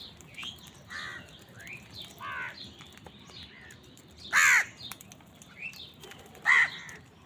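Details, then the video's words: Crows fighting wild birds for food give repeated harsh, grating caws. Moderate calls come roughly every second early on, then two loud, strident caws ring out two seconds apart near the end, over a steady background hiss. "কাকের ডাক Crow Sound | Crows fight with wild birds for food"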